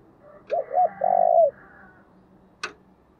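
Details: Spotted dove cooing to provoke wild doves, sung in the thổ voice: two short bent coos and a drawn-out rolling coo, then a faint hoarse drone and a single sharp click.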